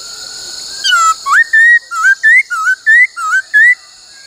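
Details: Black-throated laughingthrush training song in the "bắt cô trói cột" style: a falling note, then a steady series of about eight short wavering whistles alternating low and higher, roughly three per second, over hiss.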